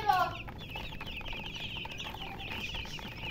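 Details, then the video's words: Baby chickens chirping. A short, lower, harmonic cluck-like note opens, then a run of high, rapid, downward-slurred peeps from several chicks continues over a quiet hum. "Witty MURGI Baby "Chicks Chirping" Sound"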